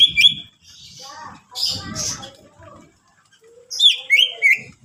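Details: Greater green leafbird singing to coax other leafbirds to sing: quick looping whistles and rich warbled phrases in bursts, separated by quieter gaps with low background noise.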